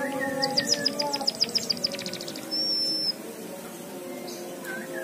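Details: Java sparrow singing a learned canary-style song: a fast run of high, dry chirps about seven per second, then one thin, high, sustained whistle, with faint tonal sounds in the background.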